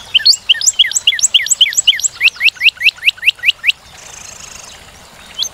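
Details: A Northern cardinal delivers a rapid run of rising whistles, about three to four per second, that stops abruptly and leaves a soft background hiss before one final note.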